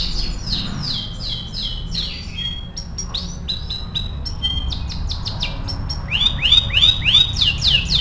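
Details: Canary song recorded for training other birds: fast descending chirp series, scattered sharp high notes, then bright rolling repeated slurs growing louder toward the end, with low hum behind.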